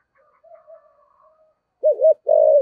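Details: Spotted dove used as a decoy, 'giọng thổ' song: faint soft hums at first, then a loud phrase of two looped coos and a long, level coo that tails downward.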